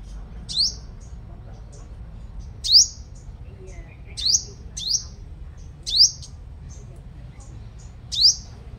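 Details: Strong-singing sunbird used as a lure, recorded in Long Thành, Đồng Nai, Vietnam, giving bright, very high upward-sweeping notes in loose pairs and singles, about six in nine seconds, over quiet low-frequency noise.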